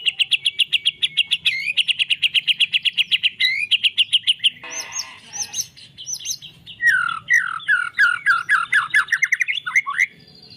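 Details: Murai batu song: a fast steady series of identical sharp whistled notes repeated many times, then a harsh rattle, high slurred whistles, and a rapid tumbling run of descending phrases.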